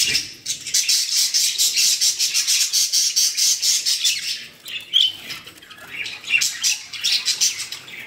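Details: Budgerigars kept in a collection in Pakistan produce dense, fast chatter: rapid shrill chirps tumble over one another almost continuously, broken by brief softer moments.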